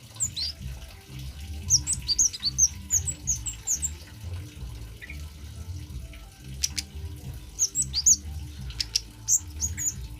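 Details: Male orange-headed thrush singing, used as a lure: bursts of high, bright twittering phrases in two groups separated by quieter gaps, over a constant splashing of running water and a low hum.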